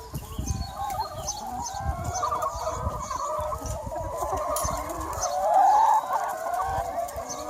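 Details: Large free range flock of chickens outdoors on a sunny spring day, a steady wash of overlapping clucking and crooning, with one clearer drawn-out call rising near the end.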